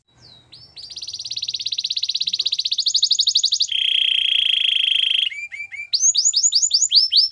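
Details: Canary singing to prompt a quiet canary: a long buzzy pulsed trill, dropping to a lower steady roll, then a few short notes and a fast run of high swept whistles.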